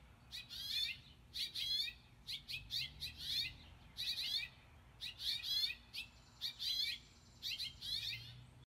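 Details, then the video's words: House finch parents calling on a front porch near their young: bright, scratchy chirps in quick clusters of two to four, repeated every second or so over a quiet background. "House Finch Parents’ Calls"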